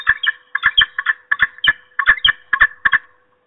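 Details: Peregrine falcon female guarding her nest against an intruder, giving a rapid series of harsh, loud, chattering notes in short bursts, about a dozen calls in three seconds with brief pauses between groups; no other sounds stand out.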